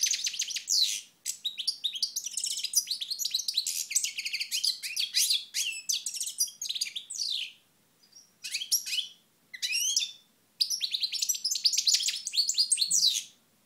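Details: European goldfinch from Moknine, recorded in 2012, delivering long bursts of fast, tinkling twitters and buzzy chirps, broken by several short silences between phrases, in an otherwise quiet setting.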